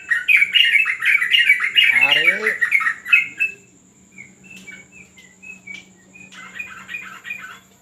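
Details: On a terrace during a training session, a yellow-vented bulbul pours out a dense, rapid stream of chattering notes for three seconds, overlapped by a man's speech, then gives scattered clear chirps and a final chattering burst.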